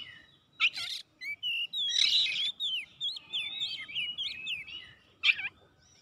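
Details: Kacer in vigorous song aimed at finding a challenger: loud scratchy bursts bracket a flowing series of whistled zigzag notes and slurred warbles, delivered at a steady brisk pace.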